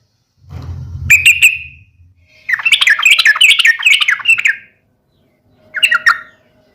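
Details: Fighting call of a yellow-vented bulbul intended to make other bulbuls answer: a low rumbling noise, a few sharp chips, then a fast bubbly chatter and one last brief burst.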